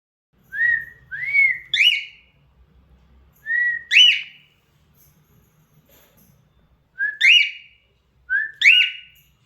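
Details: Pet cockatiel imitating sounds, giving clear, rising whistled phrases in short bursts, pausing between each group.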